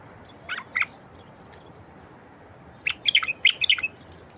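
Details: Wild bulbul song used to prompt silent wild bulbuls to sing: two brief introductory notes, a pause, then a lively bubbling run of about eight quick whistled notes.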